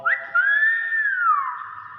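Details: Nias hill myna (Gracula robusta), whistle.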